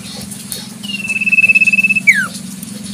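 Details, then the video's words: Wild common iora in its natural habitat: one long, steady, drawn-out whistle held for over a second, ending in a quick falling slur, over a steady low pulsing hum. "Burung Sirtu cipoh full suara asli Alam"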